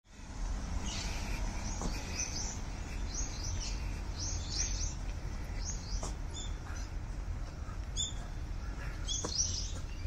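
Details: Brown-eared bulbuls flying lively among fully bloomed cherry blossoms, giving many short, high, thin chirps and down-slurred notes in quick scattered bursts over a steady low rumble of background noise.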